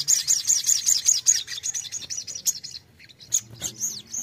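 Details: Captive bulbul in fighting song, played to train other birds to answer, giving a fast run of high, sharp chirps, about five a second, then scattered bright notes after a short pause over a faint low hum.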